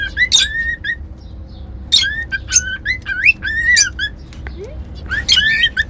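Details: Pet cockatiel whistling: bright, clear notes sliding upward, in short bursts separated by pauses of about a second and a half, with quick chirps mixed in and faint background hiss.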